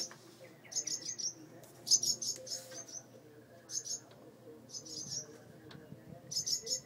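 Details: Alarm chirping by birds at a mud nest on a front porch light with two babies, reacting to the opened door: clusters of three or four quick high chirps spaced by short gaps.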